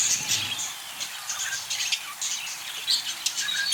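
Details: Budgerigars chattering: a dense, continuous stream of high, scratchy chirps and short warbled notes overlapping without pause, with a few sharper squeaks near the end.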